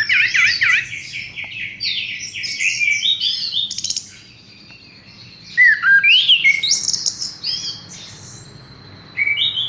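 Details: Horsfield's bush lark delivering loud bursts of quick warbled and wavering whistles, each burst separated by a quiet pause of one to two seconds, with rising and falling slides.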